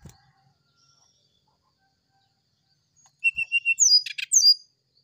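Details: Oriental magpie-robin heard in the morning with a short flute-like phrase: a few level whistled notes followed by high sliding whistles mixed with rattling clicks.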